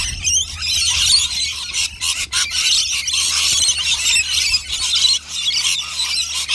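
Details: Rainbow lorikeets feeding on nectar in a noisy group; sharp squeals and screeches pour out almost without break, with a few short dips in loudness and a low steady hum.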